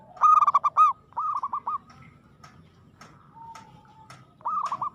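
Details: Aggressive local zebra dove: a loud phrase of rapid stuttering coos, a second softer phrase, a pause with faint clicks, then another stuttered phrase.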